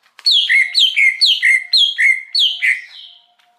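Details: Wild greater green leafbird used as a lure sound, singing a regular phrase of two-part notes, a high slurred whistle dropping to a lower one. The phrase repeats about seven times in quick succession.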